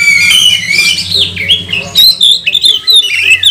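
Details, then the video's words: Magpie-robin lure song aimed at stirring other magpie-robins: dense harsh, buzzy notes mixed with high whistled slurs, growing into clipped chirps, over a steady low hum. "Kacer mana yang gak mau gacor, buka ekor, bongkar emosi dengan pancingan kacer ini"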